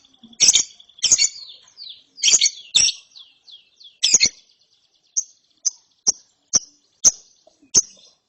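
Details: A lovebird chick, after therapy, delivers harsh rasping chirps in clusters, then a regular run of clean, short high chirps roughly every half second, described as ngeriwik.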